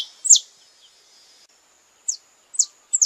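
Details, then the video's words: Saffron finch (canário-da-terra) gives short, high, sharp chirped notes in quick bursts, about every half second, over a faint high hiss. The song is described as part of a courtship or mating ritual. "Ritual do Amor Canário-da-Terra em Sua Expressão Mais Apaixonada - Canto de pássaros brasileiros"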